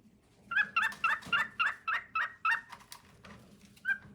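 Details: Singing for his mate, a male cockatiel gives a brisk series of about nine buzzy, rasping notes, then falls quiet before one last chirp.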